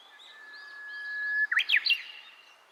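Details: Japanese bush warbler song recorded at Nanakuni Kimita Park, a drawn-out level whistled note lasting over a second followed by a short burst of rapid, upward-sweeping phrases, with faint other bird notes behind.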